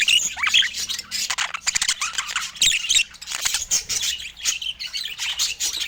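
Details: Budgerigars in natural Scandinavian light chatter without pause, a tangle of high tweets, short whistled notes and raspy squawks overlapping from several birds.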